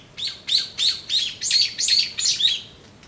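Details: Brown-eared bulbul calling while drinking juice, recorded 26 April 2012: a run of seven or eight sharp, squeaky chirps, each dipping and rising, spaced about three to the second, clear against quiet background.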